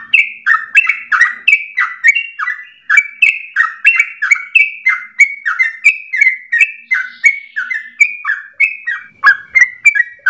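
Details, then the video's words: Yellow-vented Bulbul (trucukan) in full vocal form, long rapid chattering song used as a training lure; continuous run of bubbly two-part whistled notes, about three per second, alternating higher and lower pitches. "Trucukan gacor dor ropel panjang untuk pancingan masteran"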